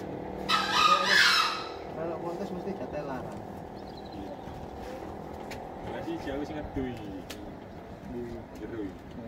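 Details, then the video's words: A single rough, hoarse crow from a green junglefowl near the start, about one second long, followed by human voices and passing vehicle noise in the background. "ayam hutan hijau berkokok"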